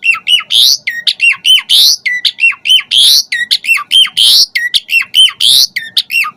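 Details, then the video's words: Asian pied starling singing gacor with full filler as a pancingan to rouse other starlings; harsh squawks alternate with hooked, dropping whistles in a rhythmic phrase repeated almost without pause, close and loud. "Suara Kicau Jalak Suren Gacor Pancingan EMOSI Isian Variasi Agar Burung Jalak Cepat Gacor Full Isian"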